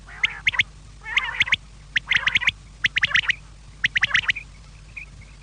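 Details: In the evening, quails give short bursts of sharp clicking chatter about once a second, some with buzzy nasal undertones, then fading to faint thin notes at the end.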